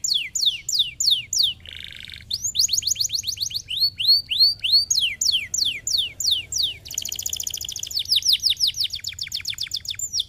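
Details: Canary song played to stimulate other canaries to sing: fast series of high descending whistled sweeps, a short buzzy burst, then rolling trills and rapid repeated notes, continuous and bright with no other sounds.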